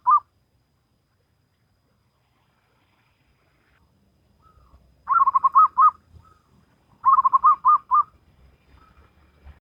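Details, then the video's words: Singing local zebra dove in the Salendro rhythm: a single brief coo, a long silence, then two phrases of fast rolling notes about two seconds apart, each ending in a drawn-out coo, over a faint low rumble. "Perkutut Lokal Alam Manggung Gayer Irama Salendro"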